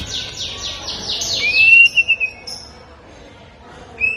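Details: White-rumped shama from Medan singing, a varied song with imitations: a run of descending buzzy slurs, then a clear rising whistle, a pause, and a short high whistle at the end.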